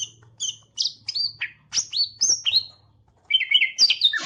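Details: Green leafbird singing with its tail fanned: a series of separate, sharp, high whistled notes, many sweeping upward or downward, with a brief pause, then a rapid warbled flourish over a faint low hum.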